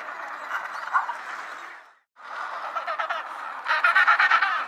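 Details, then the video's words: Penguin calling: harsh, buzzy, pulsed honking in two bursts split by a short silence, the second burst breaking into rapid rhythmic pulses. "Penguin Sounds | Penguin Calling"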